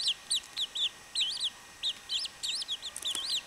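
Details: Short bout of chachalaca chick calls: clear, high, wavering peeps, some doubled, spaced by brief silences, then a quick cluster of notes near the end.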